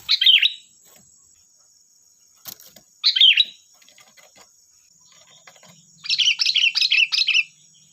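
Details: Sooty-headed bulbul, a lively lure song meant to prompt other bulbuls to answer: two short bubbly whistled phrases about three seconds apart, then a longer chattering run of rapid notes, over a faint steady high hum.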